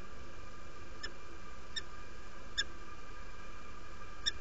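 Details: Derby, UK nest site, 17 February 2017 early morning: a female peregrine falcon that has just arrived calls invitingly with four short, clipped, ringing notes spaced under a second apart against a continuous hum.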